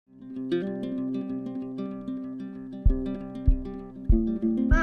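Plucked acoustic guitar music plays throughout, with strummed chords and sharp accents, and no animal sounds.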